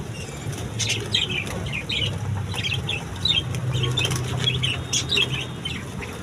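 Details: Budgerigars in a new colony setup, a steady chatter of short warbling chirps around 2–4k repeating throughout, with wing flutters and a low hum underneath.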